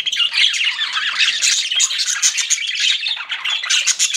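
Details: Pet budgerigars, several birds, chirping continuously: a dense, scratchy chatter of warbles and squeaky notes with no pauses, high-pitched throughout.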